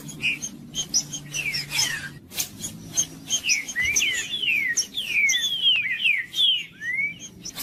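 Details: Green-winged saltator singing to stimulate other birds: bursts of clear, descending whistled slurs, sparse at first then tightly grouped, ending in a rising whistle, with a soft low hum and a few faint clicks behind.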